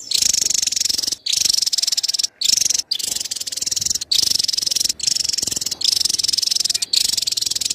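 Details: Continuous shrill, fast rattling chatter from a Javan tesia in cerecetan style, interrupted only by a handful of very brief breaks.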